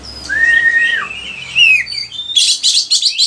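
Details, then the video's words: Oriental magpie-robin, a kacer used to teach other birds in Indonesia, gives a long level whistle that bends down, then sweeping whistled slurs, followed by a burst of harsh scratchy chatter. "Pancingan suara kacer gacor, bongkar isian burung"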